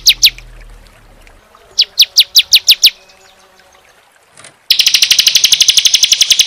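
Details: Bar-winged prinia tutor recording for songbirds, in the ngeclak burst style. Two chirps, then a run of six sharp notes, silence, and a long fast rattle of high, tightly packed notes.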